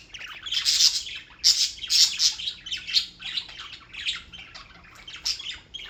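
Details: Birds in New York, United States, chirping steadily: rapid high squeaky notes in pulsing bursts about every half second, fading toward the end.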